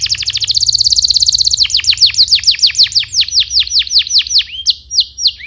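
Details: Canary song used to tutor young canaries: a very rapid high trill opens, then slows into a long series of clear, falling whistled notes repeated about three per second, ending in looser chirps.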